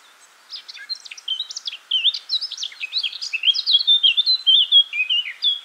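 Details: Song of a Eurasian blackcap, a rapid run of chattering, jumbled notes building into a loud, sustained stream of clear whistled and fluty phrases that keeps going to the end.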